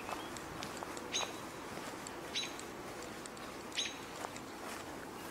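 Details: An American Robin on the ground gives a few sharp, high call notes, spaced about a second apart, on a calm evening of 21 June 2018, over a quiet, steady outdoor hush.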